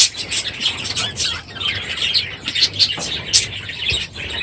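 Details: Budgerigars in a crowded aviary, morning, end of breeding season; somewhat softer mix of high twittering and chirps from several birds, rising and falling in bursts.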